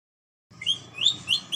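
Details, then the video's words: After a brief silence, a red-headed Ambon red lory gives three or four harsh, rising screeches in quick succession, about a third of a second apart, over faint background hum. "NURI RED LORY"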